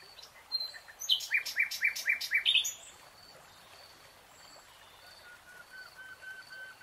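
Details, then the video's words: Nightingale in a lush green forest delivering a series of about six loud, evenly spaced, sharp repeated notes, followed by quieter thin whistles drifting in the background. "Relaxing NIGHTINGALE song"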